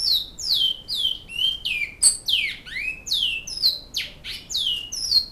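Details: In Canoas, a Great-billed seed finch delivers its Flauta Modesta style song: a steady string of loud, descending slurred whistles, some swooping down then up, one after another with brief gaps.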